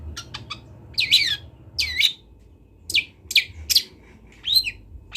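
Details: Young long-tailed shrike, a local bird from Kendal, Indonesia, practising song: short, varied scratchy chirps and rising slurs in separate clusters, with a low hum behind.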